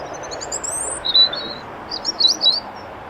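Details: European robin singing thin, high, liquid warbling phrases in short bursts with brief pauses, at Elmley Nature Reserve, Kent, on the morning of 12 October 2025, over a low steady background rumble.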